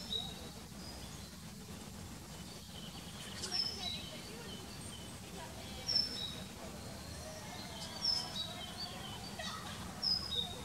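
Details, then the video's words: Common kingfisher parents, male and female, on a fine evening, 20 May, one bringing fish to hidden young; sharp, piercing high whistles recur every two seconds or so against steady low environmental noise. "IJsvogel m en v vangst voor kroost"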